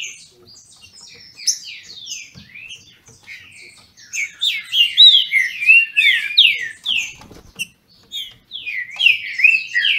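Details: Green-winged Saltator (trinca-ferro) bred in captivity in Brazil, in a singing dispute: quiet scattered notes give way to a dense, loud series of looping whistled phrases, with a short break near the end.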